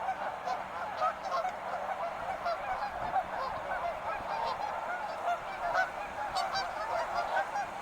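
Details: Wild geese in a large group, a continuous blur of overlapping honks with occasional louder single calls rising above the mass.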